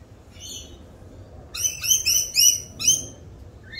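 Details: Rainbow lorikeets in mating season give short, high, shrill chips, a quick clustered run of about five notes after a quiet pause.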